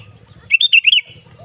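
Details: Sooty-headed bulbul song played as a lure to get caged bulbuls singing: one quick bubbly phrase of about five warbled, rising-and-falling notes lasting half a second, over a faint low rumble.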